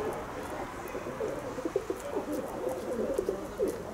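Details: Several kept pigeons cooing together in a steady, overlapping murmur of low, throaty rolling coos, with faint background hiss throughout.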